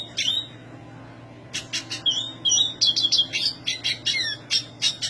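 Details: A short twitter from a black siskin, a pause, then a long high sequence of sharp chirps, scratchy trills and whistled slurs, delivered in quick irregular bursts.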